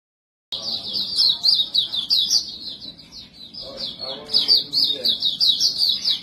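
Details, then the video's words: White-breasted white-eye, called montanus, in nonstop 'bocor' song suited for luring other birds: a high, rapid twittering warble, dense and unbroken, with faint background murmur after a short silent start. "Burung Pleci Dada Putih | Pleci Buxtomi | Pleci Montanus Bocor cocok untuk pancingan"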